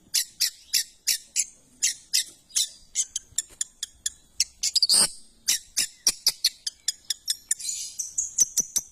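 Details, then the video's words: ['Long, fast sequence of dry harsh ticks and scratchy notes from a long-tailed shrike, three to four per second, with one louder buzzy burst midway and a high whistled tone near the end.'] "Suara burung cendet The sound of shrike"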